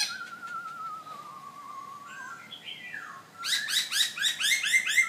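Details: Caged black-throated laughingthrush in Hanoi, Vietnam: a long, quavering, falling whistle and a few slurred notes, then a rapid, loud string of sharp, bright chirps repeated about twice a second over low background hum.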